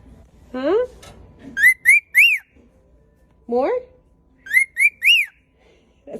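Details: Male cockatiel, hospitalized at a veterinary clinic, whistles a short tune for the camera: a low swooping note, then three bright rising whistles, sung twice; singing is read as a sign he feels relatively safe and relaxed.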